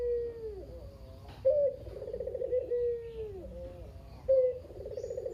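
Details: Lone local Barbary dove (kugeru) kept in care, a noisy caller used to prompt other doves; a falling drawn-out coo ending, then a fresh coo with a sharp onset and a throbbing roll, and the start of another.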